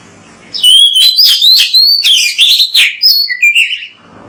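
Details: Loud, continuous Oriental magpie-robin song on a training recording used to stimulate magpie-robins to sing: fast, varied whistled phrases rising and dipping, interspersed with sharp chirps and a lower buzzy ending.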